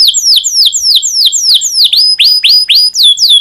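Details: Domestic canary in breeding condition singing to stimulate other canaries: a steady series of loud downward-swept whistled notes, about three per second, with higher accents overlapping.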